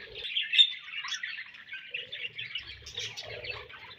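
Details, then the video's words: Soft budgerigar chirping, a steady scratchy warble of quick high twittering notes with faint low thumps in the background. "Budgies Chirping Sounds"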